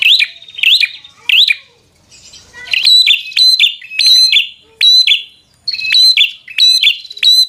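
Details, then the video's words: Bar-winged prinia singing continuously in 'gacor' fighter mode to provoke an opponent: loud, bright, clipped whistles in rapid runs of three or four, separated by short pauses. "Suara Burung prenjak | Prenjak Gacor Full FIGHTER Bikin Prenjak Jadi Emosi Lawan"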